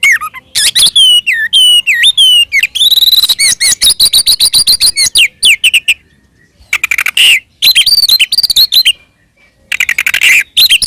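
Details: Oriental magpie-robin in full fighting song, kept to provoke rival magpie-robins into answering; dense run of high whistles, rising and falling slurs and rapid rattling notes, with brief silent gaps.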